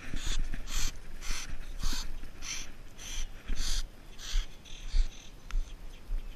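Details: A female falconry kestrel, possibly an American kestrel, gives a rapid series of sharp, scratchy notes, about two each second, over low rumbling wind or handling noise.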